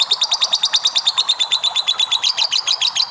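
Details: A short burst of lovebird ngekek chatter, used as a lure for other lovebirds: sharp, harsh chirps repeated quickly but a little unevenly, bright and piercing throughout.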